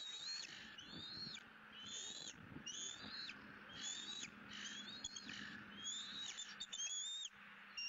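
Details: Excited bald eagle chick at its Southwest Florida nest, 20 April 2017, squealing during feeding on its second fish of the day. Rapid run of shrill, rising-then-falling whistles, roughly one per second, with a faint low hum behind.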